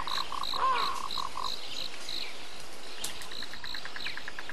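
Indian grey hornbill giving a run of short, high squealing notes, about five a second, then a faster, thinner series over a low background rumble.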